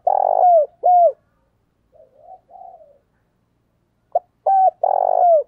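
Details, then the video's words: Cooing of a spotted dove, 'giọng thổ' calling voice used for training newly caught wild birds: two loud coos with downward-bending endings, a pause with faint soft murmurs, then a brief click-like note and two more strong coos. "cu gáy giọng thổ thúc và gáy gọi cực đỉnh mở lên tập chim bổi hiệu quả"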